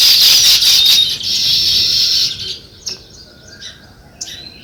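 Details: Sparrows chirping in a natural setting: a dense, high, buzzy chatter of overlapping chirps for about two and a half seconds, then it thins to a few scattered sharp chirps with quiet between them.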